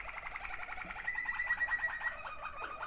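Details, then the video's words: Waterslager canaries, two sibling males, give a fast, pulsing, bubbling roll of rapid mid-pitched beats with a faint thin whistle across the middle of the phrase. "waterslager 2 αδερφάκια."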